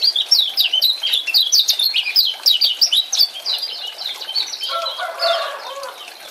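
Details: Male lemon-bellied white-eye from Lombok chattering, meant to make a silent male sing again: dense bursts of high, sharply slurred chirps, then a lower, softer warbling phrase at the end.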